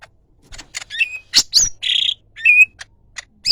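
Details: Greater green leafbird singing a varied phrase of clear whistled notes, short rising slurs and buzzy bursts, mixed with sharp chirps, with brief pauses between elements.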